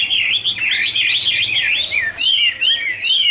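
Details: Wonderful warble of dancing Chinese hwamei in duet, dense trilled whistles first, then clearer looping phrases that rise and dip, over a soft low hum.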